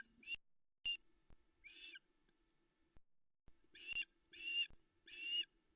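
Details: A female osprey at Loch Arkaig, calling from the nest at about 05:22 on 13 August 2020 as she awaits a fish delivery: sharp whistled yelps, a pause, then three loud, harsh, rising calls.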